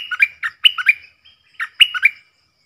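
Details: Stripe-throated bulbul decoy bird singing, used to teach young birds and lure wild ones: two bright, bubbly phrases of five or six quick liquid notes, each phrase about half a second, separated by a short pause, clean background.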